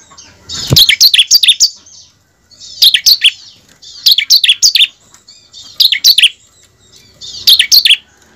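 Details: Lure recording of bar-winged prinia song meant to get caged prinias singing in the gacor and ngebren style: five bursts of rapid, piercing high chirps, about one and a half seconds apart, with near silence between.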